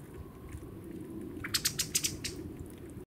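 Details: A female pale thrush gives its call, a quick burst of about six sharp, clicking chuck notes in under a second, over a steady low background rumble. Recorded at Gongenyama Bird Sanctuary, Japan, on 12 February 2017.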